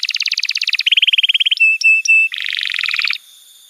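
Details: Canary master song for young birds: a rapid double-pitched trill, a lower rolling trill, a few flat sustained tones with sharp clicks, then a buzzy trill ending abruptly.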